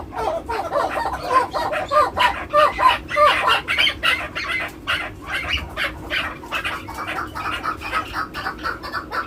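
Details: A seven-month-old male chukar partridge gives a rapid series of harsh, clucking chuck notes, about one and a half per second, rising and falling in loudness.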